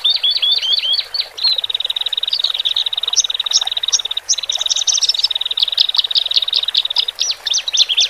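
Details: Horsfield's bush larks, male and female, singing in cages to settle newly separated birds: quick downslurred notes, a long steady high trill lasting several seconds, then staccato chirps.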